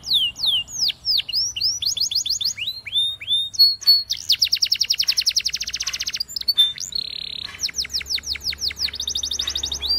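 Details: A Spanish Timbrado canary training song: fast, varied high swooping notes, rapid metallic trills and rolling buzzes, with no pauses.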